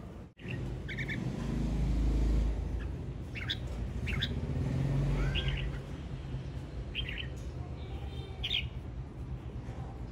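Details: A male red-whiskered bulbul sings a string of short, chirpy whistled phrases repeated every second or so, against loud low engine-like rumble.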